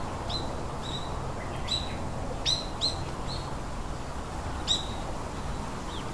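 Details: Three baby birds in a nest give short, high, sharp chirps, some with a brief downward flick, scattered irregularly about eight times over six seconds above a steady low hum of background noise.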